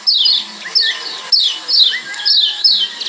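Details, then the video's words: Yellow white-eye (Lombok yellow white-eye) gives bright, high, quick-falling whistled notes in rapid bursts about every half second, with a few lower twitters between phrases; a calming lure and training song for other white-eyes. "Ciak Joss Kecial Kuning"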